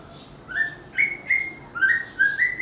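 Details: A white-rumped shama gives five short, clear whistled notes, each slightly rising, spaced about half a second apart, sweet and ringing against low background hiss.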